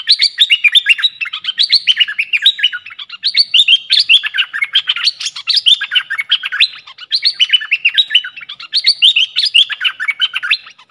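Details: Caged red-whiskered bulbul used as a decoy bird for luring, singing continuously: rapid bright whistled phrases, warbling up and down, delivered in dense bursts roughly every one to two seconds with no other sounds.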